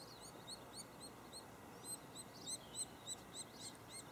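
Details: White-headed woodpecker nest in Lassen Volcanic National Park, where parents bring feedings to the cavity. Quick, high chirps come in an uneven series, growing a little louder toward the end, over steady soft background noise.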